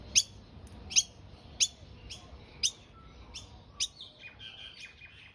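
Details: A premature female Noisy Miner fledgling, which left the nest early, chirps from a backyard tree on day three while her parents still feed her: sharp, high chirps about one every 0.7 seconds, then softer, thinner notes.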